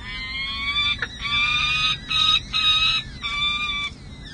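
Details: Peregrine falcons at a nest on San Jose City Hall, 7 May 2024, where two parents feed four chicks six to seven days old, filmed by a nest cam. Loud, drawn-out harmonic wails, several long calls broken by short gaps, with faint low background hum.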